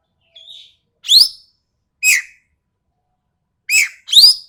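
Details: Sumatran ekek keling, recorded as tutor sound for cage songbirds: a soft short whistle, then harsh, piercing rising squeals and lower slurred notes, the last two close together.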